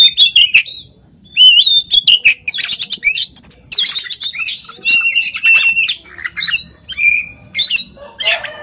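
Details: An uncaged Oriental magpie-robin in Pemalang, Central Java, Indonesia, sings a rich, varied run of clear whistles, rising slurs and scratchy chattering notes, delivered almost without pause.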